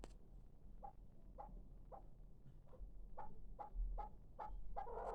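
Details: Young hybrid chukar partridge, six months old, utters faint, short clucking notes with a brief tonal edge, repeated roughly twice a second over quiet background noise.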